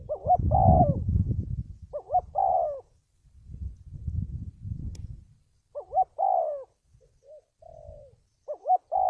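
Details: Spotted dove cooing for trap luring: double short notes and long falling coos repeated several times, mixed with loud low rumbling handling or wind noise in the first half.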